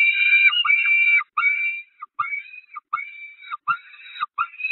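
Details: Famished Peregrine falcon young at the Catharinakerk nest, 5 May 2021, assailing their mother; shrill screaming cries, first long then broken into short rapid bursts about four per second, each ending in a falling note.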